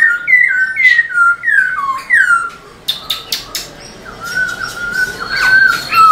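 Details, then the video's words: Black-throated laughingthrush kept in a cage, singing to stir up other caged birds: a run of descending whistled slurs, then a pause with sharp clicking sounds, then a longer wavering whistle. "Khướu bạc má HÓT MÚA ĐUÔI cực sung"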